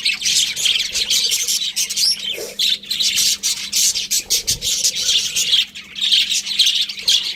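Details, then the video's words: Several budgies chattering together, a steady stream of high, scratchy warbling and quick chirps layered over one another with only short breaks. "Cute Budgies Chirping Sounds"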